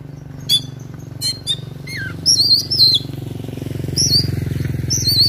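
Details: Oriental magpie-robin in fighting mode with ngobra song full of mimicked phrases: scattered sharp chirps, a falling whistle, then high wavering whistled phrases repeated, over a constant low droning hum.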